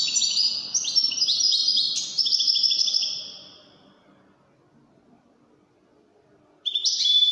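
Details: Wydani goldfinch song: about three seconds of dense, high, chattering twitters and liquid trills that fade out, a pause of near silence, then a sudden bright burst of song resumes at the end.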